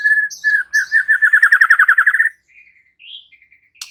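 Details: Murai batu, the white-rumped shama, singing gacor and unloading its repertoire: a few whistles, then a fast, evenly pulsed rattling trill for about a second and a half, ending in soft higher chips and a sharp click.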